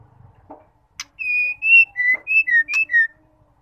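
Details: A female white-rumped shama gives a call meant to provoke males into song: a sharp click, then a quick run of six pure whistles alternating higher and lower, some falling, some rising, with a few clicks mixed in.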